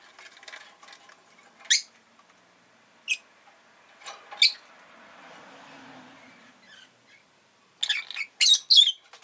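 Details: Rosy-faced lovebird kept indoors, giving scattered sharp, high shrill chirps, a few isolated then a quick cluster of three near the end, over faint clicking and a soft low hum.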